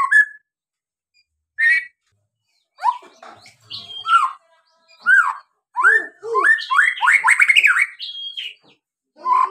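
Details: White-rumped shama, used to prompt other birds to sing, delivering scattered whistled and slurred notes that build into a dense rapid run of rising phrases.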